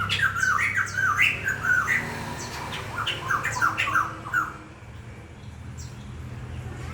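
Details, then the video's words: Bird song: squawky chattering phrases, repeated quickly for about four and a half seconds, then only a steady low background hum remains. "Tiếng chim hót hay"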